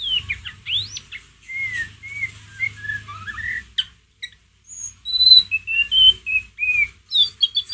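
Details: White-rumped shama ngeriwik, played as a lure to rouse a pet shama: clear whistled notes rising and falling, short sweeping phrases, a brief pause, then bright repeated whistles in quick series.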